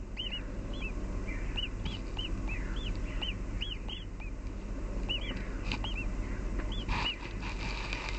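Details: Nestlings hatched in a garden nest calling out of hunger; a run of short, high, rising-falling chirps, roughly four per second, over constant low-pitched background noise.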